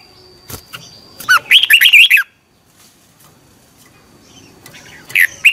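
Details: Morning singing practice by a red-whiskered bulbul, played to spur other bulbuls to sing; a rich, rapid warbling phrase of linked notes, then a pause and the start of another phrase at the end.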